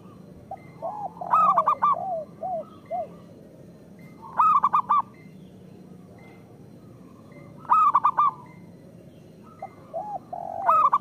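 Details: Local zebra dove singing actively, a song used to lure lazy zebra doves into singing: clusters of four or five short, bright, staccato coos repeated about every three seconds, with softer lower cooing notes between them.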